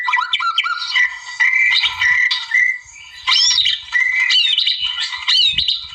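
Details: White-rumped shama in the wild, singing energetically to challenge a rival: bright chirps and squawky notes mixed with sustained level whistles, broken by a short quiet gap midway.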